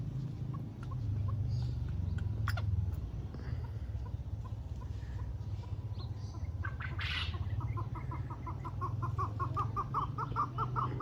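A black francolin gives a quickening run of harsh, clucking notes, about two or three a second, over a steady low rumble.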